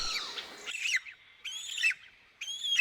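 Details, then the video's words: An African fish eagle, whose call is a signature of Africa's waterways, gives three loud, high, ringing yelps, each dipping and rising, about one per second, over faint rustling at the start. "The African fish eagle is often heard before it's seen."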